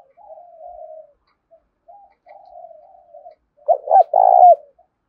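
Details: Spotted dove cooing in the 'thúc' luring voice for calling in wild doves; soft, drawn-out low murmurs lead to one loud hoarse phrase of short stuttered notes and a longer coo at the end.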